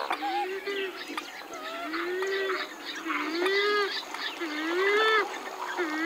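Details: Western swamphen calls: low, drawn-out moaning notes that swoop upward and repeat every second or so. Higher nasal, wavering calls sound over them, with faint splashing in the background.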